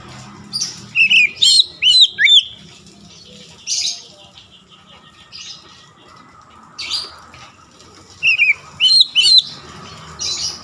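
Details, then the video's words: Oriental magpie-robin song meant to goad rival magpie-robins into singing, the bird showing off its repertoire: short bursts of bright, slurred whistles and sharp chips, separated by pauses of several seconds over a faint background hum. "KICAUAN PEMANCING KACER LAIN LANGSUNG MEMANAS GACOR BONGKAR ISIAN"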